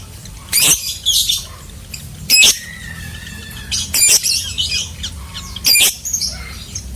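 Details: Lovebird giving loud, harsh, broadband squawks at irregular intervals, with faint thin whistles between them over a steady low background hum.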